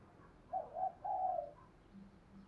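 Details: Distant spotted dove cooing on a Đồng Nai morning, three soft coos, the last longer and falling, set against a steady background hiss and a low hum.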